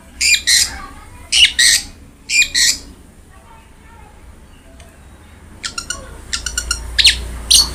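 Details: Long-tailed shrike calling as training audio to stir a lazy captive bird into song: three loud, harsh double notes, a pause with faint sounds, then quicker scratchy ticks and sharp notes.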